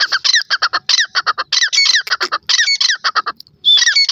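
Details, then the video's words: Loud, grating grey francolin call series: quick bursts of clipped harsh notes mixed with upslurred squeaks, a brief pause, then the rhythmic chatter resumes. "partridge bird ka wonderful sound, तीर की आवाज़"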